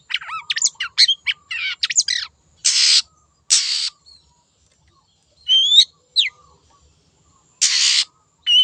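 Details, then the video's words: Lure recording of a wild, vigorously singing long-tailed shrike: a fast run of sharp chips and slurred notes, then harsh broad buzzy bursts alternating with thin rising whistles and pauses of silence. "PANCINGAN CENDET GACOR SUARA BURUNG LIARAN"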